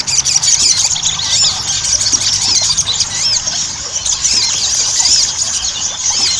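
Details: Ruby-cheeked sunbird song used as a lure to get kept birds singing readily: dense, high, thin chirps and arched whistled notes overlap continuously, as if from several birds chattering at once, with no pauses.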